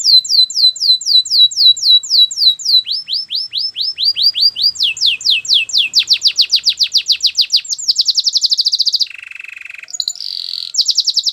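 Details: Belgian canary training song made of several tours. It starts with falling whistled notes, then rising sweeps and a rapid dense trill. Buzzy rolls and quick high chirps close the song.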